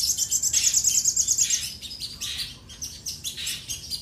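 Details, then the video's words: Common iora song aimed at a rival: a fast high trill of rapid ticking notes for a second and a half, then scattered bright chirps and squeaky phrases. "sogon gacor minta lawan"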